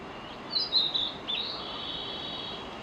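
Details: Brief Narcissus flycatcher song: one short phrase of sharp high whistled notes followed by a softer sustained tone, over a steady background hiss.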